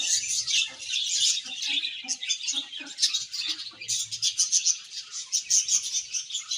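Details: Happy budgerigar colony giving steady overlapping chirps and warbled chatter, rising and falling in loudness, with soft lower notes and rustles mixed in.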